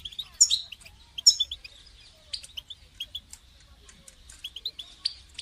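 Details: European goldfinch call used to motivate a caged goldfinch to sing, mostly softer, rapid twittering with a few louder sharp chirps near the start and end.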